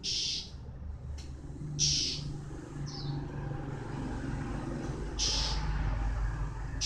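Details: Male white-eye in its moult season, delivering several brief, high, buzzy notes and a thin slurred chirp at irregular intervals over a continuous low hum.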